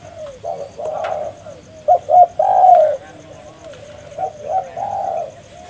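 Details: Spotted dove cooing vigorously, used as a lure for trapping: low, purring coos, quiet at first, rising to a loud burst mid-clip, then a gentler repeated phrase.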